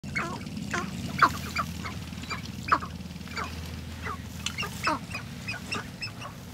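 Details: Sharp-tailed grouse displaying at a display ground in Colorado give a scatter of short, sharp cackling and clucking notes, several birds overlapping at an uneven pace over a low wind rumble.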